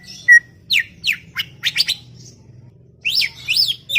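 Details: Chattering greater green leafbird giving a quick run of sharp, downward-sweeping chirps, then a cluster of buzzy, rising-and-falling notes, with a faint low hum beneath.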